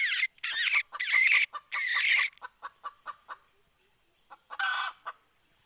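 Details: Junglefowl hen used as a decoy for wild fowl, 20 April 2020: loud, harsh broadband squawks alternate with sharp clucks, then a slower run of clucks, a pause, and another rough burst.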